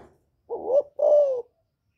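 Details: Provoking call of a spotted dove in 'giọng thổ' voice aimed at rival males: one clean phrase with a short upslurred coo followed by a drawn-out, gently descending coo, quiet background.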